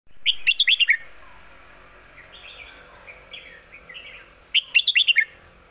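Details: Red-whiskered bulbul singing the 'lak wai' song style, described as a master song: a rapid burst of about six bright, clipped whistled notes, soft wandering warbles, then another fast burst near the end.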